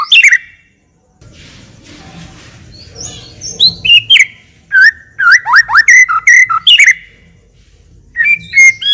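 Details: White-rumped shama singing steadily in full isian style, a song meant to coax other shamas into singing. After a quiet start, clear rising whistles and quick slurred phrases come in a tumbling series, ending in a long steady whistled note.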